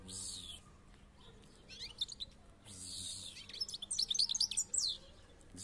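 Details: European goldfinch singing: scattered high chirps early on, then a dense burst of rapid, bright, twittering notes near the end, with a voice speaking Arabic words of encouragement and some background hiss.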